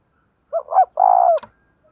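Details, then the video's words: Single full coo phrase of a spotted dove in the 'đồng thổ' voice style: two short bubbly notes, then a sustained, slightly falling hollow coo, ending with a faint click. "cu gáy giọng đồng thổ thúc rút bổi nghe cái gáy luân và ngay"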